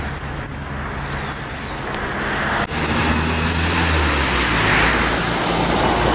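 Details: Saffron finch at Laguna del Diario, Uruguay, on 19 December 2015 gives quick, high, sharp chip notes in two short bursts over steady traffic rumble.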